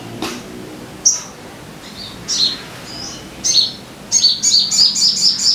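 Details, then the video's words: Sogon song played as a lure to make caged birds sing: scattered thin, high chirps that speed up into a fast run of repeated sharp notes at the end. "Pancingan Suara Burung Sogon Biar Cepat Gacor"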